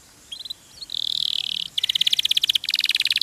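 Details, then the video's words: Canary song from a masteran recording, with noticeable background hiss. A sustained buzzy note leads into rapid pulsing trills in two bursts. "MASTERAN KENARI RAJIN BUNYI"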